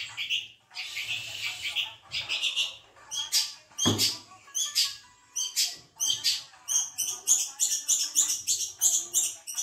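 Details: Pet long-tailed shrike in song: a lively, unbroken chain of sharp high chirps, buzzy notes and short trills, growing faster and denser toward the end.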